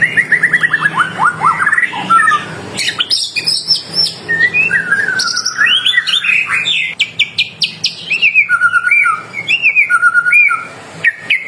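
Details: White-rumped shama in full song, played to draw other shamas into replying: a fast series of falling chirps, then varied whistles, short buzzy bursts and repeated clear notes with abrupt jumps in pitch.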